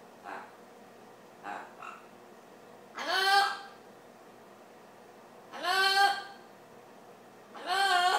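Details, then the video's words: Pet Amazon parrot indoors singing "Old McDonald Had a Farm". Soft short murmurs come first, then three loud, drawn-out, harmonic vocal phrases about two seconds apart, each starting with a rising voice-like note. "Amazon parrot sings "ohh McDonald s had farm ""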